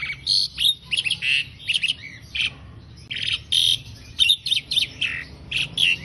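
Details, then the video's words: Asian pied starling song recorded as a training model for songbirds: a lively jumble of clear whistles, liquid notes and harsh chattering bursts, delivered in quick phrases with short gaps. "Masteran Jalak Suren"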